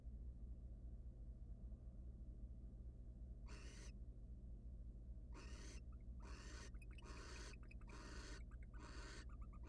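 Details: Wild barn owls in a research nest box, the male arriving with prey for his mate and resting briefly; quiet at first, then a run of harsh rasping screeches, some broken and stuttering, against a constant low hum.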